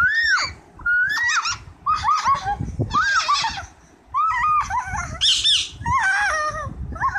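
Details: Pet parrot interacting with a child, giving rapid, varied squawks and short rising and falling whistled notes in quick succession, some harsh and broadband, with a brief pause midway and low household background noise.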